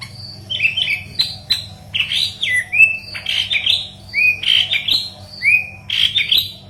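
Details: Yellow-headed leafbird in full gacor song for training green leafbirds, giving rich upslurred whistles mixed with harsh squawky notes, delivered almost nonstop over a low background hum.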